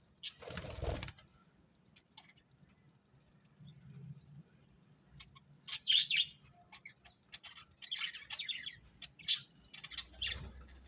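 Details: Budgerigars, happy while feeding, give sparse high chirps and short scratchy warbles in the second half, after a brief rustling thump near the start; a low steady hum runs throughout.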